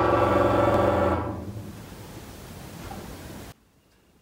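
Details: A loud sustained organ-like musical chord fades into hissing noise, which then cuts off abruptly into near silence.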